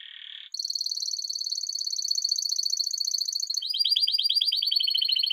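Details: A continuous Spanish Timbrado song canary sings an unbroken, rapid metallic trill whose notes can't be separated, like an old doorbell or classic telephone ring.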